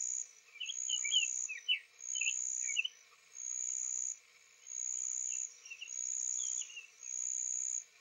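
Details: Male Summer Tanager singing softly on a spring morning, 3 April 2023, days after arriving from migration, Owens Spring Tract, Lafayette County, Florida; short slurred warbled phrases rising and falling, half-masked by a loud insect buzz pulsing about once a second.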